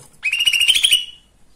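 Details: Lesser green leafbird, locally cucak ijo mini, singing a provoking song meant to excite other birds: a quick, rattling trill of repeated buzzy notes, about a second long, fading at the end.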